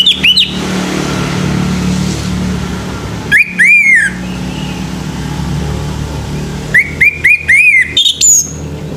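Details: A male orange-headed thrush gives scattered morning song phrases, short groups of ringing, down-slurred whistles separated by pauses, with a steady low engine-like hum throughout.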